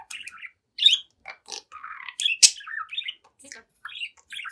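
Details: Young budgerigar, seven months old, kept as a pet, chatting and singing at its mirror; short bursts of squeaky, buzzy chirps and warbled phrases with brief gaps, one loud rasping note near the middle.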